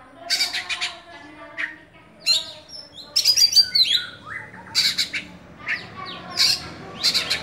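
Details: Oriental magpie-robin, a caged songbird-contest bird, giving a busy mix of high harsh bursts, squeaky chatter and a fast, tinkling run of very high notes, with a steady faint background hiss.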